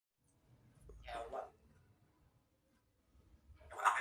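A grey parrot utters two brief, speech-like phrases, each about half a second long and a few seconds apart, in a quiet indoor room.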